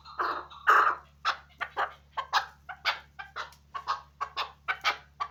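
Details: Chukar partridge kept as a hunting bird, giving a series of short clucking 'chuk' notes about two per second, a couple of louder harsh notes at the start, with a faint steady low hum behind.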